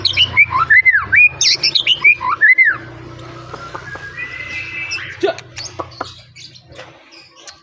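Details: White-rumped shama song of loud, looping whistled phrases rising and falling in quick succession, followed by quieter scattered notes and chips amid background noise.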